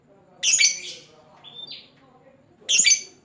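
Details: Lovebird calling a rival: a loud shrill, buzzy burst, a thin rising whistle, then another harsh high burst, over faint low background murmur.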